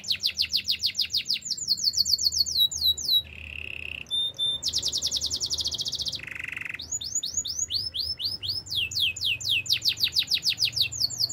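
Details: Canary song meant for training: fast repeated high chips and rattles, two low buzzy trill sections, bright rolling tours, and sweeping whistled slurs, delivered in quick changing phrases.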